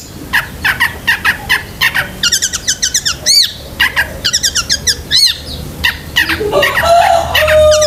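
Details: Long-tailed shrike in full, varied song used to train pet shrikes: short chirps repeated about twice a second, then fast looping trilled phrases, two loud swooping notes, and a burst of squeaky warbling at the close.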